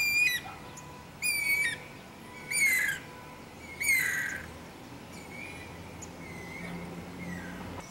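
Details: Wild Guira cuckoo uttering four loud raspy, slurred squawks at regular intervals of about 1.3 seconds, followed by fainter distant calls and low background hiss.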